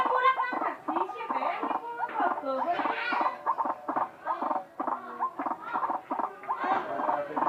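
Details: A white-breasted waterhen calling oddly, with dense, overlapping harsh croaks and nasal squawks in a rapid, uneven stream that barely pauses, getting briefly quieter near the middle.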